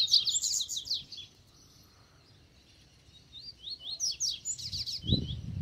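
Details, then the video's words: Free double-collared seedeater approaching a caged bird: a quick run of high, sharp descending chirps, a pause of near silence, then a second phrase of rising slurs and clipped notes, ending with a low thump. "COLEIRO SOLTO VEM PRA CIMA"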